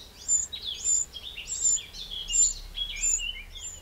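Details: A Eurasian wren in a French garden in the Châtillonnais, Burgundy, 2 June 2023, gives five loud, high, sharp notes at roughly even intervals, each trailed by softer lower twittering slides.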